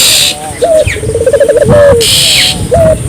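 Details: Barbary dove coo meant to draw local doves into calling. A short note, a quick throbbing roll and a sustained coo that falls away, followed by another short note, with hissing noise bursts and a thin high chirp.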